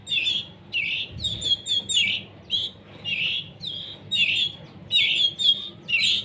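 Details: Canary young still being hand-fed as they become independent: repeated scratchy, buzzing begging notes about twice a second, some paired, with a low thump near the start.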